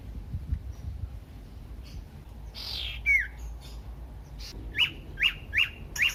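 Common iora giving a short whistled slur, then four sharp, high chirps about half a second apart, over a low background rumble.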